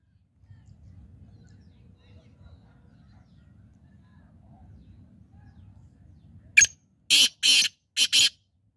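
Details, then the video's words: Black francolin calling: after about six seconds of low rumbling background noise, a sharp click is followed by three harsh, grating, broadband notes in quick succession, the middle note longest. "Black Francolin Voice Kaly Teetar Awaz"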